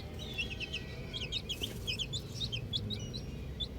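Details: Small chicks playing with a ball make a steady flurry of thin high cheeps and slurred chirps over a constant hissing, humming background.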